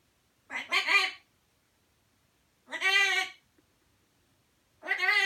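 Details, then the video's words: A macaw named Kiwi says "Ricky", repeating the hoarse, two-syllable word about every two seconds, each utterance strongly harmonic and nasal; nothing else is heard. "Macaw says Ricky"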